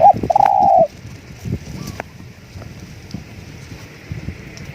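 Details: Spotted dove decoy cooing: one short low coo, then a longer sustained hollow coo under a second long, followed by quiet background rustling and faint knocks.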